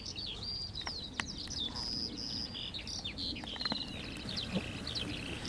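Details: Eurasian skylark singing over fields in Las Kabacki Nature Reserve on 20 April 2021, pouring out a continuous, high, rapid stream of trills, chirrups and short whistles over a faint low rumble.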